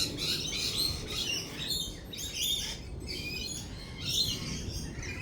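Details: Lorikeets amid rolling thunder and lightning: harsh high screeches in clustered bursts about every second, with a constant low rumble underneath.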